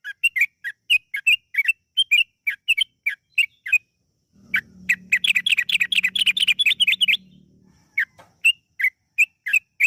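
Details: Yellow-vented bulbul song, used as a lure to make other bulbuls sing, with a long chattering delivery: bright, clipped chirps repeated rapidly, speeding into a dense burst midway, over a faint low hum.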